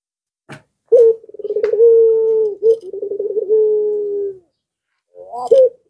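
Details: Barbary dove, pelung style, in breeding condition and stirring neighbouring doves to call: a stuttering rolled lead-in, a held coo, a second pulsed run and long coo, then a short rising note. A faint tap can be heard beforehand.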